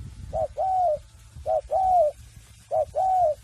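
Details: Cooing practice from a free-range raised spotted dove: three clear paired coos, each a brief soft note and then a sustained mellow falling one, evenly spaced about every second and a quarter, with faint low hum behind.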